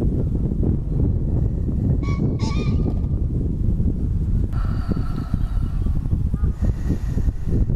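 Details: Wild green pheasant at Sakuragawa green area in Mito, Japan, on 26 April 2015, making its territorial declaration: a loud, harsh two-note crow mid-clip, heard over strong rumbling wind noise.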